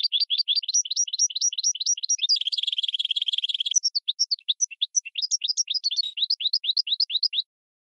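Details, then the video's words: Singing as a training tutor, a goldfinch × red canary hybrid pours out rapid rising notes, then a dense buzzy stretch. Sparser varied notes follow before the quick rising series returns, with no background noise. "GOLDFINCH x RED CANARY (Hybrid Bird) The Best Teacher for Training"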